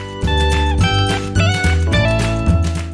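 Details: Strummed acoustic guitar music with plucked notes and a steady low bass, no animal voice heard.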